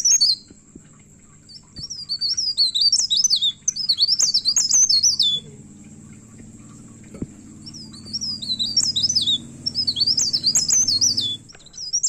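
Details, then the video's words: Myna, known locally as pare pare, singing hard and agitated, seeking a rival: repeated bursts of quick, high, zigzagging chirps separated by short pauses, with a faint low hum throughout. "PARE PARE GACOR NGAMUK MENCARI LAWAN"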